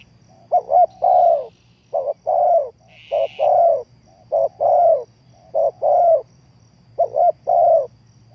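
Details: Decoy spotted dove kept for trapping, cooing steadily: six phrases in a row, each a short double note and a drawn-out mellow coo, about one per second. A brief high chirp comes mid-way over a low background hum.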